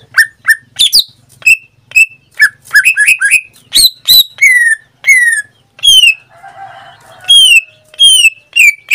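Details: Pet greater green leafbird in full song, a captive bird that sings nearly every day: a run of clear slurred whistles, several long downward-sliding notes, mixed with harsh chips, and a short buzzy patch midway.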